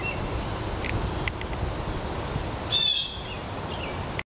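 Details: A fledgling red-tailed hawk at Mount Auburn Cemetery on 2 July 2014 gives one short, hoarse, high rasp under a steady background hiss, with a few faint ticks before it.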